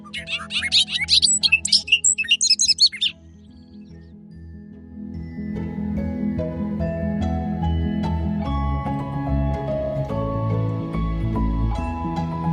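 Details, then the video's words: Bobolink in Minnesota grassland in early June, announcing its presence, gives about three seconds of bubbly, tumbling, robot-like R2-D2 notes, high and fast, followed by soft music. "The bobolink just does some R2-D2 noises, so you can tell it's around."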